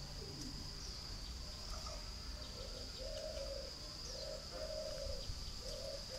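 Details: Spotted dove kept at a breeding farm in Ba Vi district, Hanoi, northern Vietnam: a series of soft, low, hollow coos, several in quick succession, with a constant high-pitched whine and faint chirps in the background.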